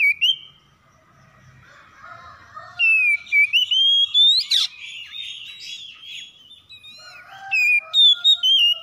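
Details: Morning duet of oriental magpie-robins calling back and forth in a harsh lure song; after a quiet warbled start, strong sliding whistles and rapid clipped notes come in a dense run, then a final loud phrase.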